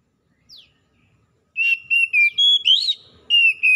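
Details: Oriental magpie-robin singing vigorously, wild and domestic birds replying to each other: a single high downslur, a short pause, then a string of strong, even whistled notes with one rising trill-like flourish.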